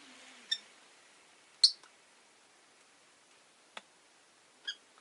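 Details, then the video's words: Rosy-faced lovebirds, five caged indoors near a window, utter a handful of brief high chirps and one louder squeak, irregularly spaced over a quiet background. "Lovebird Chirping Sounds"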